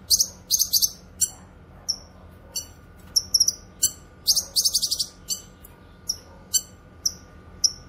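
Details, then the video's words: Cucak kinoy singing for songbird tutoring and luring: harsh buzzy rattles alternate with bright, high, falling chips, busy in the first five seconds, then sparser single chips at regular intervals. "Masteran suara burung CUCAK KINOY gacor cocok untuk masteran dan pikat"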